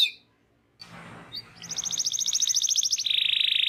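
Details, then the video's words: Local canary singing for a training recording: a brief high note, a pause with faint background noise, then a long even trill of rapid pulsed notes that drops into a lower buzzing roll at the end. "MASTEAN KENARI LOKAL GACOR"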